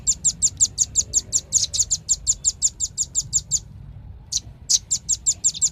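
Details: Velvet-fronted nuthatch producing a long rapid series of sharp, high-pitched chips, a brief gap with one lone note, then another quick run.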